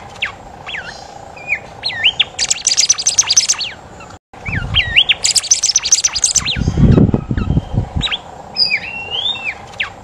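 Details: Bimoli (kancilan emas), a golden whistler, in full song. Short clear whistles, some rising and some curling, alternate with two dense bursts of rapid, very high chattering notes. Low thudding knocks sound beneath, and the sound cuts out briefly midway.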